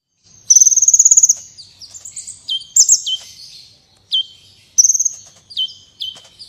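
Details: Sunbird singing vigorously, recorded as training song for competition birds: a high rapid trill of about a dozen even pulses, then sharp downslurred whistled notes dropping steeply, another short trill and more downslurs.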